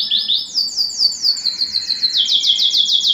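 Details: Canary song played to stimulate a male and excite a female for mating: rapid, repeated high trills of downslurred notes, shifting to a faster, higher trill midway, with a fainter lower note beneath.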